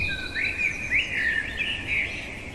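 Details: Blackbird song at night: a run of rich warbled notes that swoop up and down, repeated several times in quick succession against a soft, constant hiss.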